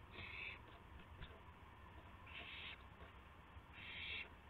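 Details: Owl at 12:25 AM on April 7, 2016, while a gopher is delivered as prey. Three breathy, screeching hisses come roughly every one and a half to two seconds, each under half a second, over a low background hum.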